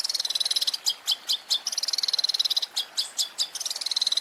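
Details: Cendet, the long-tailed shrike, in a masteran compilation of champion fills: continuous high chattering warble broken by louder sharp notes about twice a second.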